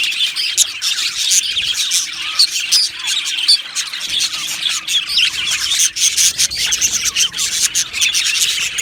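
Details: Aviary colony of budgerigars keeping up a lively chorus of chirps, warbles and squeaky squawks, many voices overlapping steadily to the end.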